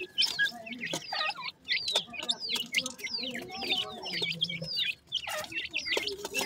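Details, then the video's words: Captive grey francolin chicks, teetar, feeding in the morning, their calls clear here: repeated sharp falling cheeps, several per second from a few birds, with short pauses between bursts. "teetar chicks morning time feed R voice"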